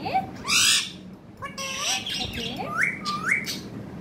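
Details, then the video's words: Pet parrot, described as a sweetly talking bird, giving a loud harsh squawk, then a series of sliding whistled notes that rise sharply at the ends, with steady low indoor hum beneath. "Pyaari baate karne wala tota"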